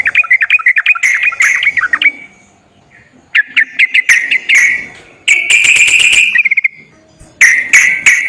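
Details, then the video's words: A sooty-headed bulbul lure song begins with rapid chattering whistles. After a short silence come rising whistled notes, then a sustained buzzy trill and a final burst of bubbly phrases. "TERAPI BURUNG TRUCUKAN MALAS BUNYI//ISIAN PANCINGAN TRUCUKAN YANG MALAS BUNYI"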